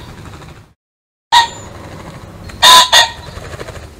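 A pheasant gives loud, harsh, ringing calls: one short burst, then a stronger double call about a second later, over faint background hiss.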